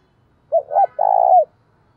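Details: Spotted dove kept as a decoy, cooing to stir rivals to fight; one phrase of a quick two-part note followed by a longer buzzy coo that drops at the end, in quiet surroundings.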